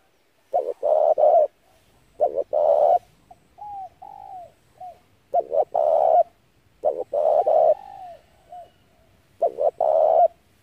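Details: Spotted dove, recorded to draw other doves to a trap, gives steady cooing phrases: two brief coos then a drawn-out loud coo, about every two seconds. Quieter downward-curving coos fill the pauses.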